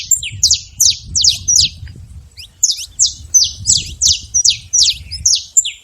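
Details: Saffron finch living free in the wild, singing a rapid series of sharp, high downslurred chirps in two bursts separated by a brief pause, about three notes per second, over a faint low background rumble.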